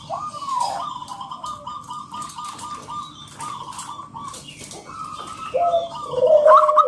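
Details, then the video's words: Wild local zebra dove in a loud lure song meant to get other doves singing: a quick string of rolling mid-pitched coo notes, pauses, then more phrases, with lower slurred coos and a sharper burst near the end. "Sekali Dengar ATASI PERKUTUT MALAS BUNYI - MANJUR Hitungan Detik Perkutut lokal gacor"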